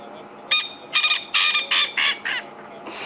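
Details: A male Coqui Francolin in Sabi Sand, South Africa, in April near sunset gives loud, harsh, grating notes, announcing his territory to rival males and to females; another male answers further away.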